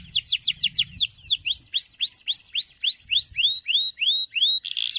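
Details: Male canary calling a rival to spur young canaries to sing: quick descending whistles turn into rising, upward-curving whistled notes repeated about three times a second, with faint low background noise.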